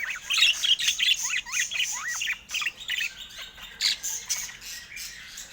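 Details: Pet budgerigars calling while playing with their owner indoors: rapid squawky chirps and warbling notes, about two or three per second, with rising and falling whistled slurs in a busy, continuous chatter.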